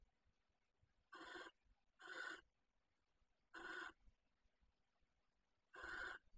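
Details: Common kestrels nesting in a box at Riet Vell ornithological reserve, Ebro Delta, Tarragona, bringing a field mouse; four raspy, harsh hissing screeches at uneven intervals over six seconds, quiet in between.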